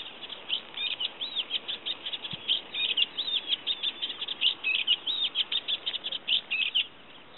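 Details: Olivaceous warbler at Kalloni Saltpans, Lesvos, singing in May 2010. A long, unbroken stream of rhythmic, scratchy chattering phrases, with rising and falling squeaky notes repeated several times a second, and a single soft click near the middle.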